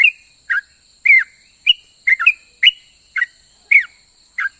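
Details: Bulbul 'ropel' song said to spur neighbouring bulbuls to reply: loud separate whistled notes, some bending downward, some rising, spaced about half a second apart, over a continuous high-pitched hiss.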